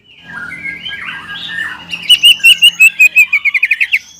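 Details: A greater green leafbird singing energetically to provoke a rival leafbird: a mixed, muted warble gives way to a rapid series of about fourteen bright notes that speed up toward the end.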